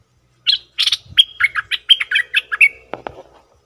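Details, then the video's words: Bulbul call used as a lure for wild birds: a lively chattering phrase of about ten quick notes, some bright and whistled, others buzzy, ending in two dull knocks. "Suara pikat merbah lekir"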